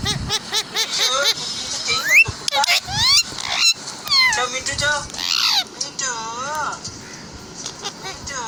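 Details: Several parrots chattering to each other with squeaky, speech-like wavering notes, rising whistles and harsh buzzy bursts in quick irregular succession, no pauses of silence.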